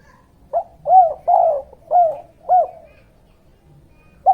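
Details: Spotted dove (derkuku/tekukur) lure recording in the 'kuk 2' cooing pattern, used to attract wild birds and train young birds: a run of five soft, low, rounded coos about half a second apart over a quiet background.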